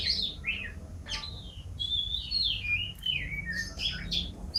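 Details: Canary singing vigorously: a varied run of short chirps and slurred whistles, some rising and some falling, with a steady low hum underneath.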